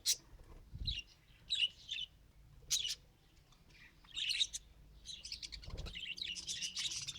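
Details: Budgerigar trying to talk with scattered high chirps and short warbled phrases that build into continuous scratchy chatter at the end.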